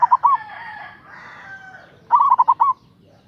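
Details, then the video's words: Local zebra dove with a big voice, used as a lure to provoke rivals into calling. A short burst of cooing notes opens, a long crowing rooster follows, then a quick five-note cooing phrase near the end. "Suara Perkutut Lokal GACOR Suara Besar Ampuh memanggil LAWAN Emosi Manggung PANCINGAN PERKUTUT LOKAL"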